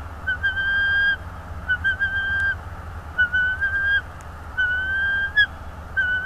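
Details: Bald eagle at its north east Florida nest, captured by a nest camera on 24 January 2022 in late afternoon: a run of thin whistled notes, each held about half a second, repeated roughly every second, with a faint low rumble behind.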